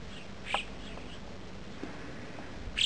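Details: Western jackdaws on a March 2010 morning at La Rosière 1850 in the mountains; a sharp, short 'tchak' note, then another clipped call near the end, over a low background hum.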